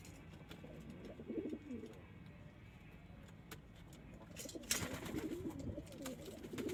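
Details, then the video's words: Domestic pigeons, local, Indian, Chinese and homing kinds; low, bubbling coos at the start and again near the end, with a sharp clatter between. "#الحمام وجماله #الحمام البلدي #طائر الحمام Bird pigeons"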